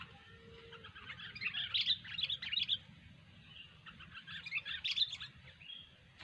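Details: Sooty-headed bulbul giving energetic gacor chatter in two bursts of mixed whistled and scratchy notes, separated by a short quieter gap, over a low background hum.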